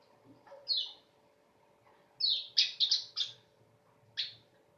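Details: A weaver gives scattered sharp downward-swept notes and a short cluster of harsh buzzy chips against faint background noise.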